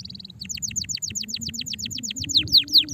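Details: Stressed canary song: brief buzzy trill then a quick steady series of sharp descending chirps, roughly six per second, growing louder toward the end over low background noise.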